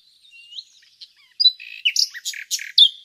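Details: Nightingale song fragment: soft thin whistles and short notes, then a burst of loud, varied, harsh chirps and a bright whistled ending, all high-pitched with no other sounds.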